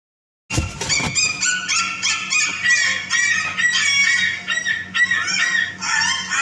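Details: Yellow-crested cockatoo giving a run of loud, harsh, screeching calls with rich overtones, nearly continuous after an opening burst, some notes rising and falling; a steady low hum sits underneath.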